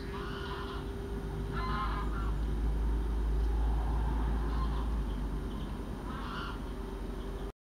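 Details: A female common scoter at lake 5 of the Kraaijenbergse Plassen on 19 November 2014 gives a few short, harsh, grating calls spaced unevenly, over a steady low rumble of wind or engine noise.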